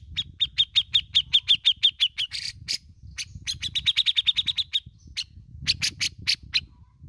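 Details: Bearded bulbul from Indonesia, singing in besetan and ngepik styles. Long runs of quick, clear, high pips are broken by grating rasps. A low rumbling hum runs throughout.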